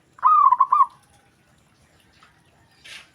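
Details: Zebra dove calling, a call that other doves answer at once: one quick phrase of soft, rolling coos around the same low-mid pitch, broken into several rapid beats, then quiet with a faint brief rustle near the end.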